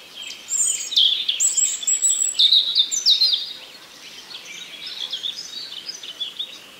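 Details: A common nightingale sings in a forest: a rich burst of high whistles, trills and rapid chirps for about three seconds, then softer, fainter warbling over quiet background.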